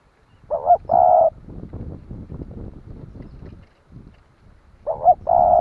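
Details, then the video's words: Kept decoy spotted dove cooing to provoke other doves into calling: a two-part low hooting phrase, a short wavering note then a longer steady coo, given twice about four seconds apart with soft rustling and low thumps between. "Tiếng chim cu gáy kích bổi nhanh nổi"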